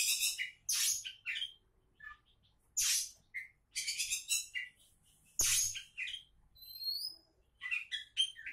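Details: Singing kacer (Oriental magpie-robin) described as a would-be champion. Dense run of scratchy, buzzy bursts and chirps, then a pair of pure high whistles near the end, with a sharp click midway.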